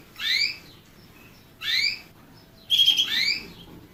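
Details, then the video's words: Canary voice: two clear rising chirps about a second apart, then a louder, harsher buzzy note sliding into another upward sweep. "Bird motivator sounds the basics of canary birds' singing"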